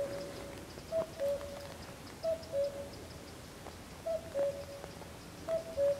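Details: A Common Cuckoo, heard but unseen near a pond at San Antolín, Goikomendi, Zamudio, on 7 May 2020, sings its falling two-note cu-coo, repeated steadily every second and a half.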